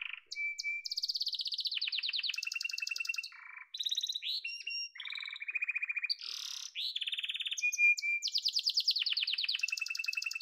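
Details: Yellow domestic canary singing a long, varied song: rolling trills, buzzy rattles, short flat whistles and harsh nasal notes in quick succession.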